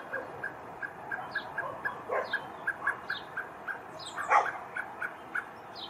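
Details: Male common blackbird in Poland on 7 July 2023, searching for its fledgling, gives a steady series of short clipped call notes, roughly four per second, with faint higher chirps from other birds behind.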